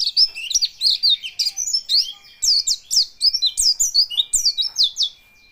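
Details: White-eye singing while quivering its body: a rapid, continuous string of high, sweet twittering notes with quick rising and falling slurs, sung in dense bursts with brief pauses, over a faint steady high whine.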